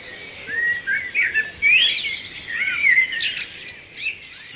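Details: Common blackbird (Turdus merula) singing at dawn: mellow, fluty warbled phrases running together with squeaky higher flourishes, over faint higher notes from other birds in the dawn chorus.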